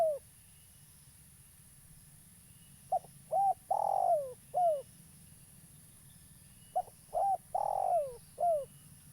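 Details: Spotted dove, a lively local caller suited as a trapping lure: after a pause, two cooing phrases about four seconds apart, each built of a short note, a looped note, a long drawn falling coo and a hooked end note.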